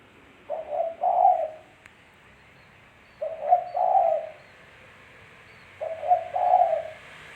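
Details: Clean tekukur, or spotted dove, cooing used as a lure sound. There are three mellow phrases, roughly every two and a half seconds, each with short lead-in coos and a longer trembling coo, over a faint steady hiss.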